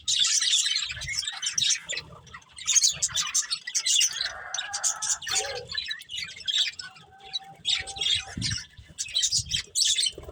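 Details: Budgerigars from a breeding pair and family, chattering in bursts of high buzzy, scratchy warbles with short gaps, a few lower rasping notes between them.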